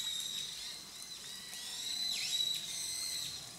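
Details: Grey wagtail, recorded July to December 2023, giving sharp high whistles with a steady thin tone and a quick downward swoop, faint against a constant hiss.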